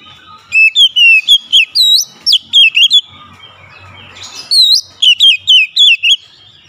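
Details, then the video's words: An oriental magpie-robin (kacer) pours out quick strings of piercing, twisting whistles, pauses with a faint harsh rustle, then resumes another rapid volley of loud wavering notes. "KICAUAN KACER BUKA PARUH LEBAR TEMBAKAN PEDAS"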